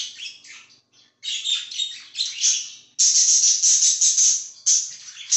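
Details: Budgerigar chirping loudly, a rapid stream of harsh, high, rasping warble phrases that grows denser and louder midway with few breaks.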